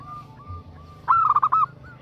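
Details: Female zebra dove calling a male, a single short burst of rapid cooing notes rolled together into a quick trill after a soft faint note.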